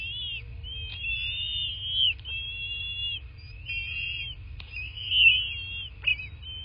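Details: Bald eagle at a southwest Florida nest, nest cam, 8 March 2024 around 11:00; repeated high whistled whines, each about a second long, in a loose series with a couple of sharp clicks and a constant low hum.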